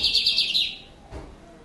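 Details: Lined seedeater singing in Brazil: a loud, fast buzzy trill of rapid high notes lasting under a second, then fading, with low background hum.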